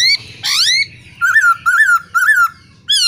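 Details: Laughingthrush pair, male singing and female calling, intended to spur caged birds: a rising upswept note, then three looping whistled phrases spaced about a third of a second apart, with soft low background hum.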